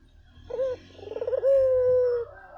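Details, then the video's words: A single phrase from a vocal Barbary dove used as a lure for other doves: a short clipped note, a fast wavering roll, then a long steady mellow tone with a soft low hum behind. "SUARA BURUNG PUTER GACOR! 100% pancingan ampuh,puter kamu pasti katut"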